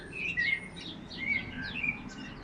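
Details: Songbird in a spring garden, perched in a bare forsythia with its flute-like, clear song. Short whistled phrases with sliding notes repeat roughly every half second over a soft chirping background.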